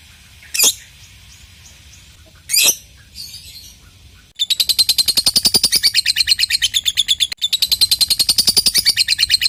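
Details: Lovebird ngekek meant to get silent lovebirds chattering; two sharp isolated chirps, then a long, fast, high trill of pulses with one short gap midway.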